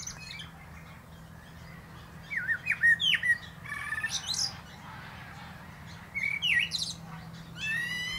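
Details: Common blackbird singing atop a plum tree: fluted, warbling phrases around two kilohertz in two bursts, each ending in thin high squeaky twitters, with a steady low hum beneath.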